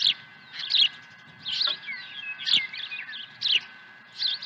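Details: Osprey at a ranch nest, April 2020, fish delivery; spaced, shrill chirped phrases about every second, with a few thin sliding whistles between them and faint background hum.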